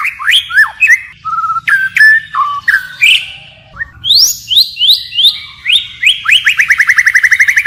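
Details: Forest-style singing by a white-rumped shama that keeps varying its phrases: bright rising and falling whistles, a brief pause, then quick stepped notes ending in a fast, even trill.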